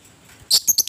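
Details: Lovebird of fighting type, sound meant to provoke other lovebirds: a burst of high, shrill chatter breaking into three or four quick clipped notes that trail off.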